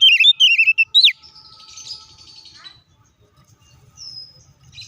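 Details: Oriental magpie-robin fighting song used to provoke rivals: a fast burst of warbled whistles and a sharp falling note, followed by a thin buzzy trailing sound and one high whistle.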